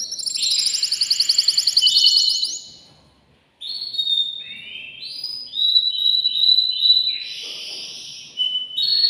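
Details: Excited male canary singing in a cage to stimulate a female for mating: a fast trill of rapid notes, then a pause and a series of clear whistled notes and buzzy phrases around high pitch.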